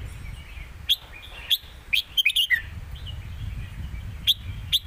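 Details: Caged red-whiskered bulbuls in a phrase-for-phrase singing duel, southern master-style song: short bright whistled phrases around mid-high pitch, spaced singly then in a quick cluster of several notes, over a low rumbling background.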